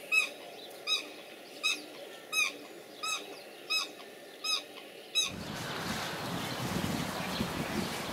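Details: Black swan pair courting in December in Germany, keeping their Australian breeding rhythm and synchronising behaviour before mating: eight high bugling notes at a steady pace, about one every three-quarters of a second, then a loud broad rush of wind or water.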